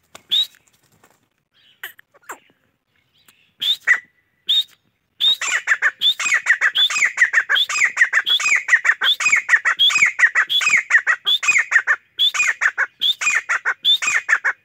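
Harsh, squawky chachalaca calls: a few scattered notes, then a fast, nearly continuous run of grating, raucous cries repeated several times a second.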